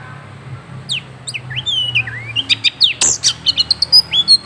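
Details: Moulting Oriental magpie-robin singing actively: clear, high whistled notes and slurs, some rising and some falling, then a fast run of sharp repeated chips about three per second, with a faint low hum underneath.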